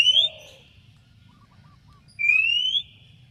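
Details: Oriental magpie-robin challenging a rival to reply: the end of one whistle, a low descending slur, a quiet gap with soft notes, then a clear upward-gliding whistle.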